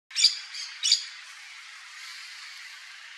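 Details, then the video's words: Yellow-chevroned parakeet (Brotogeris chiriri), also called periquito-de-encontro-amarelo, giving two loud shrill squawking notes about half a second apart, high and harsh, followed by a steady hiss of background noise and a final sharp note. "CANTO do PERIQUITO-DE ENCONTRO AMARELO (BROTOGERIS CHIRIRI), YELLOW-CHEVRONED PARAKEET."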